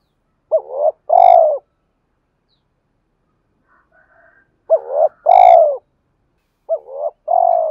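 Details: Spotted dove cooing to incite fighting and call a mate: three hollow phrases a few seconds apart, each a brief wobbling note then a longer level coo, clean and close, with a faint higher note in one gap.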